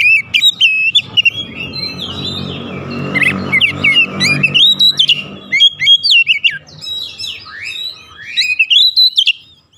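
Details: Oriental magpie-robin in energetic song, used as a lure to excite listeners: fast, varied whistles and upward sweeps over a rumbling low background early on, continuing as clear, swooping phrases to the end.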